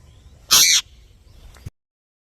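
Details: Indian ringneck parakeet giving one harsh, loud, broadband screech lasting about a third of a second, followed by a faint click and then quiet.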